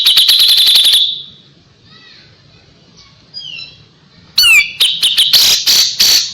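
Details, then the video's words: Kapas tembak song for tutoring a white-rumped shama: a fast high rattle of piercing notes, a quiet stretch with soft whistled fragments, then loud sweeping and stuttered high notes. "KAPAS TEMBAK GACOR JEDA RAPET"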